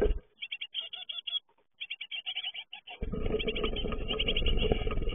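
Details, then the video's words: Great tit young leaving the nest, uttering fast rows of thin, high chirps in a brief pause-broken series, then a loud rushing broadband noise joins and largely covers the calling. "Uitvliegen koolmeesjes"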